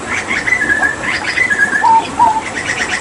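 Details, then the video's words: Energetic hooded butcherbird song recorded with water therapy: fast rattling series of high notes, then two pure lower whistles that slur downward, over continuous hiss. "Masteran Tembakan JAGAL PAPUA gacor"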